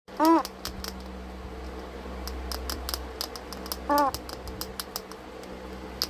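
An eclectus parrot makes a run of sharp, dry clicks at an irregular pace, broken by two short, nasal, wavering squawks about four seconds apart.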